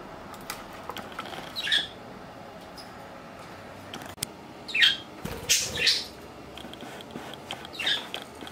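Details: Pet budgerigar, three years and five months old, kept indoors, gives a few short, scratchy, high chirps and squawks spaced several seconds apart over faint room noise and occasional clicks.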